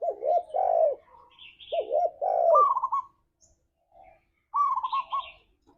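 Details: Spotted dove song, a lure meant to prompt a pet dove to answer: two hollow coo phrases followed by quick stuttering higher notes. Faint high chirps from other birds sound in the background.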